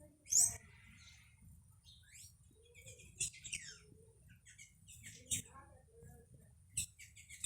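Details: Blue hummingbird, a female that dominates a backyard and chases other birds from the nectar, giving sharp, very high squeaky chips in scattered bursts about every second or two, with fainter calls of other birds and a low background hum.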